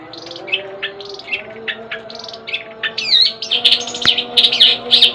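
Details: Long-tailed shrike, a caged pet bird, singing a varied run of short chirps and buzzy notes, then a denser burst of sharp repeated high notes in the second half; a steady low hum runs underneath.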